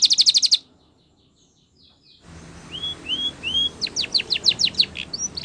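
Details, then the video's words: Spanish Timbrado canary training song: a short metallic trill, a quiet gap, then rising slurred whistles and rapid falling notes over a faint background hiss. "Canary Training Champion Song !! Canary Bird Sound"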